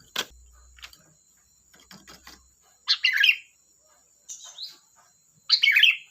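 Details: Kutilang, the sooty-headed bulbul, singing busily: a sharp note, scattered soft chirps, then bubbly warbled phrases repeated about every two and a half seconds, with a short whistle between and a faint high hiss.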